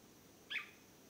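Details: A swallow-tailed manakin in Acaraí State Park, São Francisco do Sul, Santa Catarina, Brazil, gives a single short, nasal, mid-pitched note over a faint, steady background hiss.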